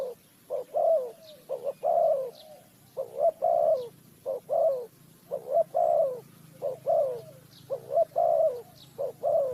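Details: Spotted dove calling during bird trapping in Ninh Thuận, Vietnam: loud, low, hollow coos in quick two- and three-note phrases with a stressed, falling final note, repeated steadily throughout; faint high bird chirps now and then.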